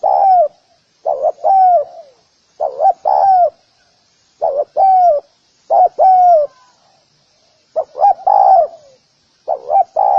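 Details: Spotted dove cooing to lure other doves. Deep phrases of two or three hooked notes, ending in a longer falling coo, repeat about every one and a half seconds. A thin high insect-like hum runs underneath.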